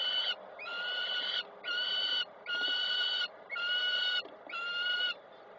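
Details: Peregrine falcons at a Koszalin, Poland nest on 3 June 2024, female arriving and feeding a chick; a steady series of six drawn-out, nasal, harmonic wails, roughly one per second, with brief pauses between.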